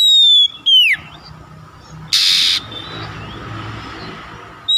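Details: Oriental magpie-robin (kacer) prompting song: a long descending whistle ending in a downslur, then a brief harsh noisy burst and faint warbling notes, with a steady background hum.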